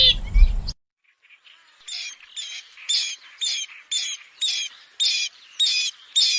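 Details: After a brief noisy start and a pause, a bronze-winged jacana gives a steady series of short, sharp, squeaky notes, about two per second, in a quiet setting.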